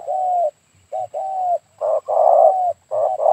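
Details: A spotted dove coos on an overcast morning near Dumai, Riau, Indonesia, during bird trapping with a decoy: soft, hollow low coos, each about half a second, in an uneven run of about six, the later ones fuller and louder.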